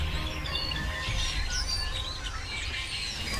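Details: Tens of thousands of migrating Red-winged Blackbirds return at sunset to reed beds at a Missouri wetland's edge in October: a dense, continuous chatter of overlapping high chips and short whistles with wingbeats over a steady low rumble, possibly music.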